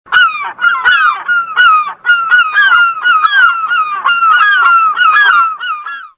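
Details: Herring gulls (Larus argentatus) give loud, nasal, slightly falling mewing calls in a rapid, overlapping series of about ten in six seconds; no other sounds stand out.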